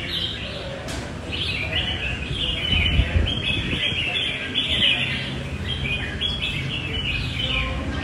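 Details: Red-whiskered bulbul, described as quick to flare and fighting well, singing loud and long. Bright warbled phrases sit between mid and high pitch and come in quick overlapping bursts over a steady low rumble of background noise.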